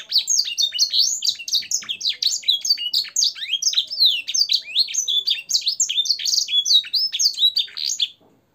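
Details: Training song of a canary with blackthroat and sanger fill-ins: an unbroken, loud torrent of high twittering, slurred whistles and quick chirps lasting about eight seconds before stopping.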